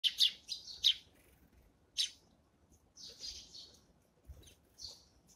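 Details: Eurasian tree sparrows at their morning feeding give bright, harsh chirps. Several come in quick succession in the first second, then single chirps are scattered through the rest, with one longer, buzzier note near the middle.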